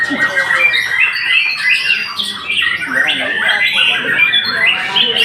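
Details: Continuous shama song of jumbled whistles, chirps and scratchy notes, loud throughout with short rising and falling phrases.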